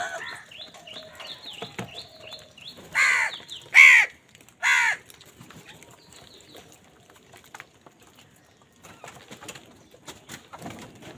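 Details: Crows squabbling over food give three loud, harsh caws about a second apart, each a drawn, arched rasp, with a busy backdrop of small-bird chirps before them and scattered clicks afterward.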